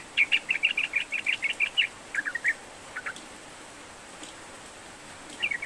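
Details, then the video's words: Lively sooty-headed bulbul song, played to coax a lazy bird into singing: a quick string of bright chirped notes, a few lower scattered notes after it, a quiet gap, then a short chirp burst. "Kicau SUARA Trucukan GACOR Seperti Ini Cukup AMPUH Untuk Pancingan Terapi Trucukan Malas Bunyi"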